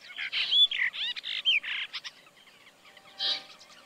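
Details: Kaohsiung City, 16 June 2020: a Brahminy starling pours out lively mixed phrases of harsh buzzes, upslurred whistles and gurgles for about two seconds, then softer chatter and one last rough burst.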